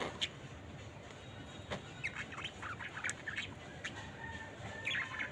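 Budgerigars chatter in short, scratchy chirps and warbles over a steady background hiss.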